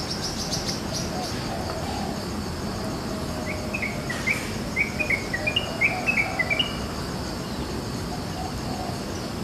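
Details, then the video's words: Wild yellow-vented bulbuls in village countryside in the morning, calling back and forth: a brief burst of bubbly, chirping notes midway through, set against a steady buzz of insects and a low rural hum. "Kicau KHAS trucukan di waktu pagi"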